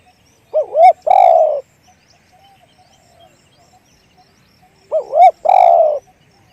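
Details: Two phrases from a spotted dove in the one-kuk big-voice style, spaced about four seconds apart. Each phrase is two brief hoots and a long, loud, mellow coo, with soft murmuring coos in the gap.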